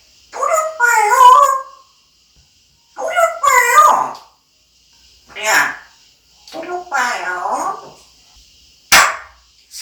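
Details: Talking parrot in a small room gives several clipped, nasal, speech-like phrases, some with ringing tonal harmonics, spaced a second or two apart, ending in a sharp click-like burst over a faint constant high hum.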